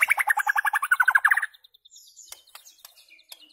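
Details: White-rumped shama song meant for teaching goldfinches rare notes: a fast rolling trill of about twenty down-slurred notes lasting a second and a half, followed by soft high ticks and chips.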